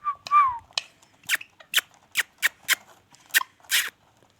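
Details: Indian ringneck parakeet giving a whistled rising-falling call at the start, then a run of short sharp harsh squawks spaced about every quarter to half second, in a quiet indoor setting.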